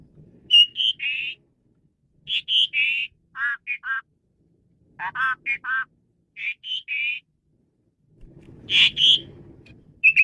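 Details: Male Asian pied starling in varied song, used as a lure for training birds: repeated phrases of buzzy, harsh and whistled notes with short gaps, ending with a rustling noise.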